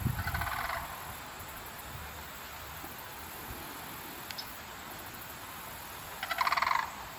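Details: A pair of Sandhill Cranes calls loudly near Colonel Talbot Road, London, Ontario, Canada, on an October 2024 afternoon. There are two bouts of rolling, rattling bugles under a second long, at the start and near the end, over steady hiss and wind noise.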